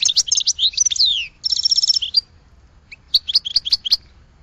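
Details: Goldfinch song: quick high twittering notes run into a bright buzzy trill, then a short pause before a final burst of clipped chirps.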